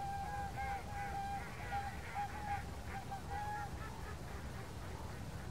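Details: Whooper swans dancing and calling at Kuligów, Poland, on 16 February 2018; several birds give overlapping, clear trumpeting notes, steady and slightly wavering, repeated in quick series, over a low background rumble.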